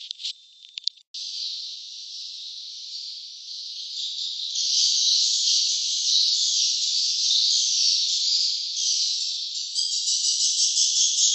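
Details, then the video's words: Swiftlets at their nest site in a dense, unbroken chorus of high, buzzy twittering that swells midway and turns to quick, pulsing chatter near the end. "suara sarang burung walet ( swiftlet sound )"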